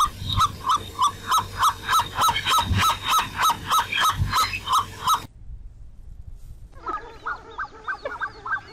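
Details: Repeated soft honking hoots from a black-necked swan, roughly three each second for five seconds, then a brief silence before quieter, similar calls resume.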